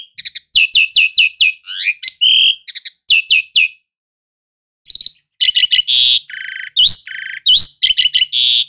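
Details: Energetic song of the jalak suren, or Asian pied starling: rapid clusters of sharp whistled notes and twisting slurs, a short pause, then loud grating buzzes mixed with rising whistles.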